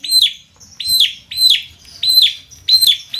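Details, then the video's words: Javan myna, kept as a hobby bird, singing in full voice: five loud, harsh downslurred phrases with bright whistled overtones, repeated roughly every 0.6 seconds, over faint low background noise. "Burung Jalak kebo konslet gacor"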